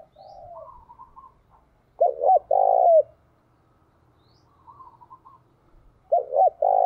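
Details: Caged decoy spotted dove giving its rousing coo, played so that wild and decoy doves call back. Quiet soft notes lead into a low phrase of two clipped notes and a drawn-out coo, repeated near the end.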